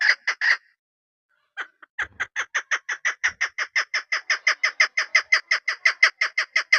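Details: A female chukar partridge from a hunting setup gives three clucks, falls silent for over a second, then launches into a rapid, rhythmic series of some twenty-six sharp chuk notes.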